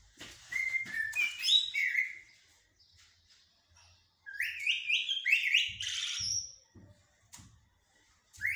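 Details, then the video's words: Common blackbird song in the mourning and military styles: two separate bursts of fluted, whistled phrases. Each burst steps upward and ends in higher squeaky twitters, with a pause of about two seconds between them and faint knocks in the background. "طائر الجحمومية أو الشحرور بتغاريد حدادية و عسكرية"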